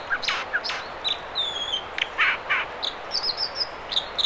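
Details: In the Mamquam River spawning channels near Squamish, British Columbia, an American dipper sings. Short rough notes alternate with a thin drawn-out whistle and clusters of high chips, all over a constant hiss.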